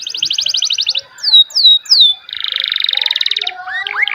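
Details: Canary song mixing a fast, even, high trill, three swooping whistled notes, a long buzzy rolling trill, and quick rising chirps at the end, rich and varied.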